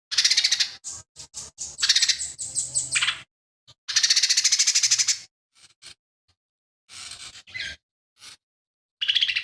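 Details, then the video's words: Lesser green leafbird singing a varied song full of imitations of fighting sparrow, tengkek buto and cililin. Choppy scratchy notes and quick rattles come in irregular bursts, with sharp chips in between. "CUCAK IJO MINI GACOR"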